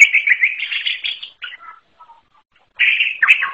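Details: Greater green leafbird gives a sustained warbling chatter, a few soft notes, a pause of over a second, then a renewed burst ending with a dropping slur.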